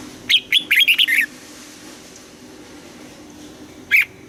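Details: Red-whiskered bulbul singing during morning voice training in Vietnam, in the forest-aged double-note style: a fast run of six clear warbled whistles, then silence and a single sharp note.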